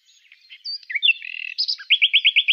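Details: Secretive common nightingale in song during a field survey: a jumble of varied whistles and a buzzy rattle, closing with six loud, rhythmic looping notes in quick succession.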